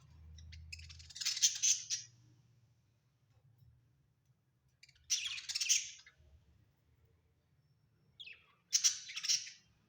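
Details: Pet budgerigars at home giving three harsh, noisy squawk bursts spaced several seconds apart, with a low hum underneath and quiet gaps between.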